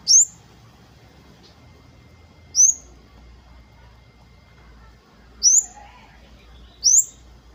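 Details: Wild flowerpecker, called kemade or cabe-cabean, in a recording meant to get other birds to sing: four piercing, very high, short downslurred notes at uneven intervals over a quiet background.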